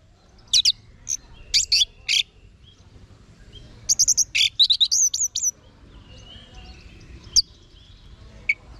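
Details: Orange-headed thrush song: clusters of sharp, high, buzzy notes in the first two seconds, a pause, then a quicker phrase of bright whistled and slurred notes, with soft scattered notes trailing off afterward.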